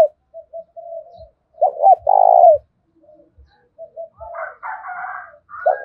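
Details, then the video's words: Lure spotted dove calling in thổ pha style to provoke fighting. Soft murmured notes precede two quick looping notes and a strong falling coo. A higher, rougher chattering sound follows later. "Chim cu gáy kích bổi giọng thổ pha/ tiếng thúc đấu vang cả xóm làng"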